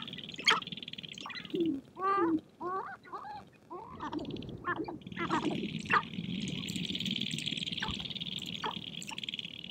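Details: Sharp-tailed grouse on a prairie hilltop in spring, dancing and fighting to attract females; a series of rising whining yelps and cackles early on, then sparse clucks over a steady buzzing background.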